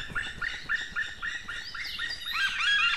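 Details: White-tailed eagle male calling near the nest on a May 2016 morning while delivering fish: fairly soft, repeated yelping notes over a steady background hiss, with a few higher chirps toward the end.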